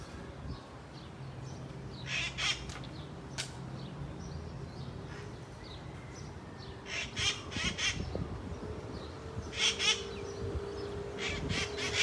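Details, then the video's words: Red-masked parakeets in Kapiolani Park, Waikiki, Honolulu, Hawaii, July 2024, give harsh, screechy bursts in clusters around two and a half, seven and ten seconds, over steady low traffic rumble and a passing engine drone. "Psittacara erythrogenys, Red-masked Parakeets"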